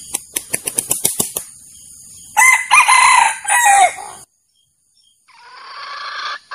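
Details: Male junglefowl crowing, a recording for luring roosters into traps: a harsh, harmonic crow of about two seconds after a run of sharp clicking pulses, then a sudden drop to silence and a softer noisy stretch.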